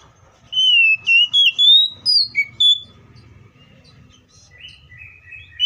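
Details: Oriental magpie-robin in full fighting song, meant to spur other magpie-robins to sing: a burst of loud, clear whistles stepping upward in pitch for two seconds, then softer distant notes over a low background rumble.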